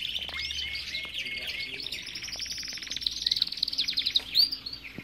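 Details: Belgian canary in an aviary delivering a long buzzy trilled song that rises into quick repeated notes and a few sharp whistles, with other birds' chirps mixed in.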